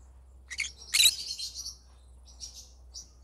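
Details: Yellow-sided green-cheeked conure singing: a short burst of harsh, buzzy chattering notes rising to one loud scratchy peak, then fading into softer scattered chirps, with a low steady hum underneath.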